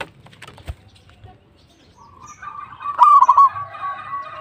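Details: A local zebra dove in active song. Low background rumble leads into one stuttering coo phrase of rapid, pulsed, mellow notes that then trail into a softer, drawn-out tone.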